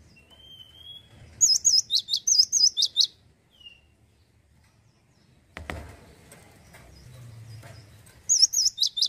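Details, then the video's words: Male cinereous tit in continuous 'gacor lossdol' song: two bursts of rapid high whistled notes mixing wavy slurs and steep downstrokes, a thin gliding whistle before, a thump and low rumble midway, then the phrase resumes at the end. "GACOR TANPA PEMANIS BUATAN,GELATIK BATU JANTAN LOSSDOL"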